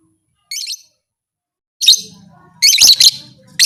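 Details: Lovebird call said to stimulate other lovebirds to fight: a faint squeaky burst, a sharp chirp, then a louder run of harsh, high-pitched chattering notes.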